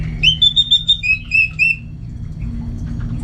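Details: Orange-headed thrush singing at home in Singaraja, North Bali, a bird kept for song contests: about eight clear whistled notes in quick succession, alternating higher and lower, then quiet with a constant low hum behind.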